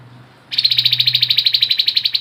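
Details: Grey-headed babbler singing ngebren style: a fast, even, high-pitched rattling trill that starts abruptly and runs on steadily for nearly two seconds.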